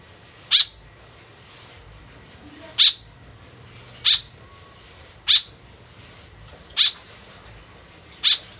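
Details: White-breasted woodswallow call used as a lure: six crisp, rasping notes spread unevenly across nearly nine seconds, quiet in between.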